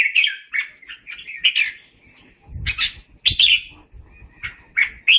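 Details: Red-whiskered bulbul calling the flock: a series of slurred whistled notes, then a pause with low thumping noise and a few louder, broader chirps near the end.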